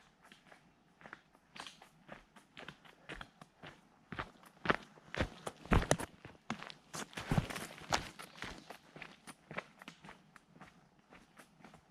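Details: Crunching footsteps on a trail, uneven and irregular, with no animal sound heard.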